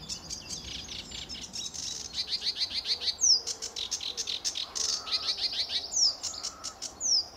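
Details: Sedge warbler singing at Fowlmere, England, on a July 2013 early morning: bursts of fast chattering, buzzy trills broken by sharp falling high notes, repeated phrases of varied pattern, quiet background.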